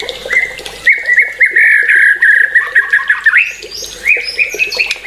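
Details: White-rumped shama song as a long warbling chatter of quick notes held at one pitch, then a rising sweep and higher scratchy phrases.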